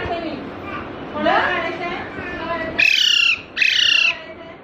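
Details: Young parrot being carried home in Panvel, March 2019, curious about its new surroundings: two quick, shrill, buzzy squeaks in close succession follow low human voices.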